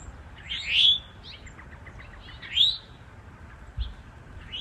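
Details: Eastern towhee, male and female, in woods, where the male defends nesting territory: two loud upslurred chirps about two seconds apart, with softer short notes between them and quiet outdoor background.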